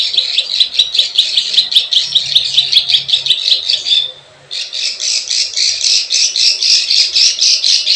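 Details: Plain prinia calls used as a lure for wild birds: dense run of buzzy, scratchy notes repeated rapidly, a brief pause near the middle, then the rasping series resumes, with faint high ticking clicks above.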